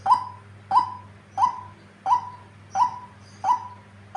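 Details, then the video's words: Vocal, tame female white-breasted waterhen giving six regular calls, each a sharp attack fading into a flat mid-pitched tail, roughly every 0.7 seconds, against a constant low hum. "Burung ruak ruak betina paling gacor"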